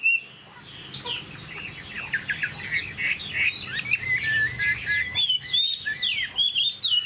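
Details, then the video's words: Caged Chinese hwamei in full song: a continuous run of varied, slurred whistles that rise and fall, growing louder and faster toward the end, with clipped high notes mixed in. "Hoạt Họa Mi"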